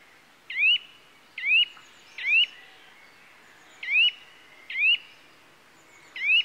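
A Eurasian nuthatch gives loud, rising whistled 'dwip' notes, six at uneven intervals about a second apart, over faint background hiss.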